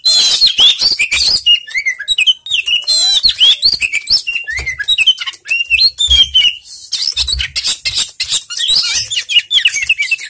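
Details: Oriental magpie-robin, known locally as kacer, in a lure recording meant to prompt a bird reluctant to sing: a rapid, varied stream of bright whistles, slurred rising and falling notes and sharp chirps, almost without pause, with soft low thumps beneath.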